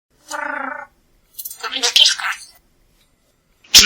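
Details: Pet talking parrot: a buzzy, evenly pulsed nasal phrase, then a harsher, broader burst of speech-like syllables after a short pause, with a sharp loud clatter at the end.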